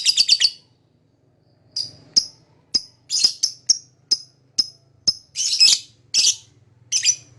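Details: A lovebird gives a fast triple chirp, then irregular single and paired shrill high chirps, some rasping and longer, with a faint low hum beneath.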